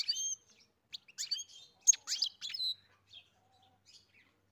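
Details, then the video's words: European goldfinch on a farm singing a short burst of bright chirps, a buzzy note and liquid slurred whistles, fading into a few soft scattered twitters. "Καρδερίνα μελωδία (Goldfinch carduelis SINGING)"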